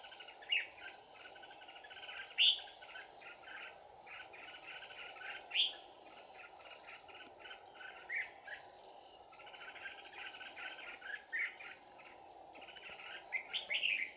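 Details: Red-whiskered bulbul's 'bell voice' close-combat fighting song at a trapping site, 11 January 2019: scattered clear, high, slurred notes spaced a few seconds apart over a continuous insect chorus and a shrill steady drone.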